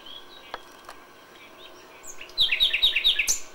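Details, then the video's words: Common nightingale singing at dawn in May: faint distant birdsong and a click, then a sudden loud series of quick, ringing repeated notes near the end. "A FÜLEMÜLE ÉNEKE."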